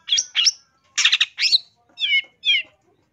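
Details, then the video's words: Long-tailed shrike singing as a training model for caged birds: a few harsh buzzy bursts followed by two clear downslurred whistles, with short pauses between notes. "MASTERAN CENDET GACOR SUARA LANTANG"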